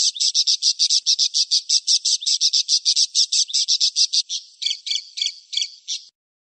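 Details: Parakeet in full song, a sharp rolling trill used as a training recording for songbirds; a fast, evenly pulsed high chatter of about six notes per second for four seconds, then several spaced, harsher double notes.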